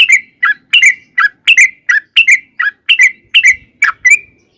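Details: Sooty-headed bulbul singing long 'ropel' lure song intended to draw answers: evenly spaced, liquid slurred notes about twice per second, some doubled, loud and clear.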